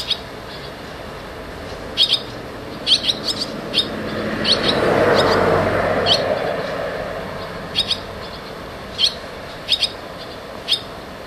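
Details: Barn swallow chicks entering and leaving the nest give scattered thin, high chirps, singly and in pairs, while a vehicle rumbles past in the middle and fades away.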